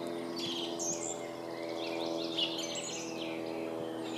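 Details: Clear high whistled phrases and quick chattering notes from a singing song thrush, steady background hum throughout.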